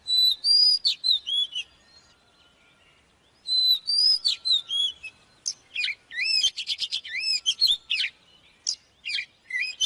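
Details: Oriental magpie-robin song used to train birds: long, pure whistled notes, then a pause of about two seconds, then dense, rapid rising and falling whistles and chirps.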